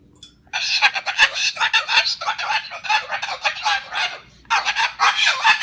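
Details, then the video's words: Indoors, an angry pet Moluccan cockatoo whose table nest was cleared keeps up long runs of rapid, grating, buzzy squawks, with one pause before a final burst. "Misha the Moluccan is an angry bird"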